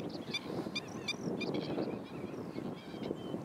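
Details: Black-winged stilt (Himantopus himantopus) at Kuyalnik estuary, Odesa Oblast, Ukraine, in spring 2012, giving sharp, nasal yapping notes about every third of a second over steady low rumbling background noise.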